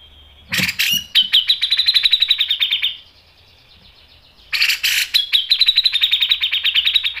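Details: Grey-cheeked bulbul song used as a lure for training: two long, fast buzzy trills, each opening with harsh bursts and holding a steady high pitch, with a short quiet gap between them.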